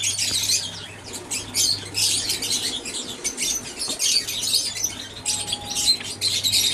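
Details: Several aviary Java sparrows twittering together, busy bright squeaky chirps tumbling almost without pause, over a faint constant low hum.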